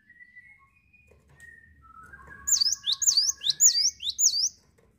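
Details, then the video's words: Cinereous tit song opens after soft, thin, steady whistled tones in the background, then five loud, high, sharp two-note phrases follow in quick, even succession. "GELATIK WATU GACOR NGETROLL"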